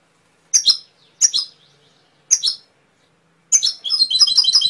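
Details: Canary singing: three short, high double chirps spaced about two-thirds of a second apart, then a pause and a fast, rolling trill of bright repeated notes.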